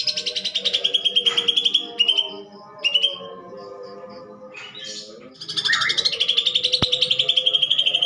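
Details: Greater green leafbird fighting song, rough and full of sparrow imitation, meant to stir other birds: short rattling bursts broken by pauses and faint tones, then a long unbroken grating trill to the end.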